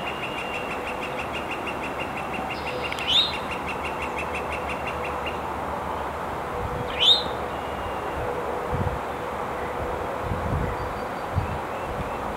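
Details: Eastern Towhee calling from an exposed perch in Montoursville, Pennsylvania, on 9 April 2021: two loud, sharply rising call notes about four seconds apart, over a steady low rumble of traffic and a dry pulsed trill early on.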